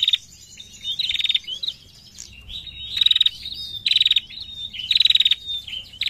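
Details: Female prinia narung call: a loud, steady series of rattling bursts of rapid high ticks, about one each second, interleaved with thin whistled slurs.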